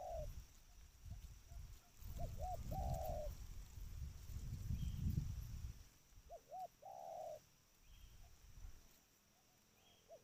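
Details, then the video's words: Trained spotted dove calling, two cooing phrases of short rounded notes each ending in a longer held note, a few seconds apart, over low rumbling background noise. "Suara panggilan tekukur ajaran"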